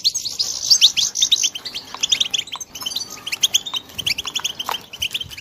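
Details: Young European goldfinches calling together, a bright jumble of sharp high tweets and buzzy chirps repeated in quick clusters, louder at the start, then steady overlapping twittering.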